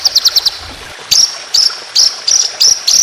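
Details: Rapid high chips open this white-rumped shama training song in 'tembakan' style, followed by spaced sharp, sweet rising-then-flat notes roughly every third of a second.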